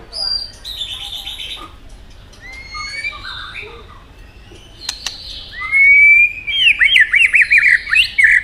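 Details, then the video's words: White-rumped shama singing competitively, tail flicking: soft scattered whistles and a sharp click give way to a loud rising whistle and a rapid rattling, looping series of notes near the end. "chòe lửa hót nhiều giọng nết búng cầu.kích chòe lửa hót đấu đập đuôi căng lửa"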